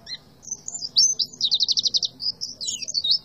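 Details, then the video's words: Tembakan-style song of an Oriental white-eye: a few high chirps lead into a fast, evenly pulsed trill of about nine notes, then a twittering, warbling flourish at the end. "PLECI TEMBAKAN ADUHAI"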